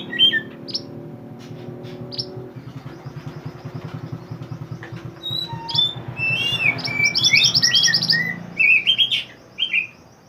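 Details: Mantenan bird in lively song, as a training recording for songbirds: after a quiet start with a low steady hum, rapid high chirps, upslurred whistles and a fast trilled run crowd the second half.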